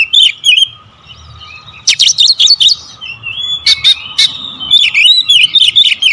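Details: Kacer, or Oriental magpie-robin, delivering a dense-shot lure song: whistled phrases, a loud volley of harsh rapid bursts, a sustained whistle, then brisk repeated looping chirps over a faint steady hum.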